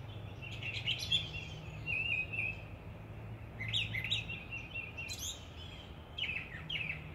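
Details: Common nightingale singing in short bursts of sharp, high chirps and trills, spaced a second or two apart, over a steady low hum.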